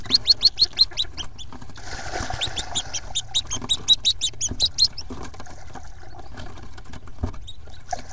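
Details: Nest-box Hooded Merganser ducklings, hatched April 1st, 2014, on the day all 14 leapt out; fast, piercing peeps open the clip, a rustling scuffle intrudes, then thinner overlapping peeps continue over faint knocks.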